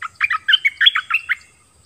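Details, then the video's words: A wild bird, one of a family come together, gives a loud, close, rapid phrase of tumbling chirps and short whistles, roughly ten notes in just over a second. "เสียงนกดอกแตงEp.19 นกป่ามาทั้งครอบครัว!!!"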